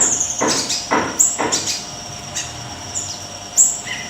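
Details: Siri-siri kecil in vigorous full song, delivering very high, thin whistled notes in short bursts, mixed with sharp broadband clicks and low rustling at an irregular pace.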